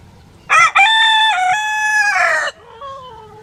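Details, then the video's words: Single long rooster crow lasting about two seconds, loud and strongly harmonic, with a brief opening note, a sustained middle and a falling end, then a quieter drawn-out call. "Rooster crowing videos 🐓# Rooster crowing sound effects"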